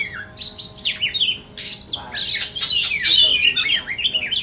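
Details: A white-rumped shama pours out a busy song of high whistles, downward-sweeping notes, and rapid bubbling phrases, becoming a near-continuous chatter in the second half.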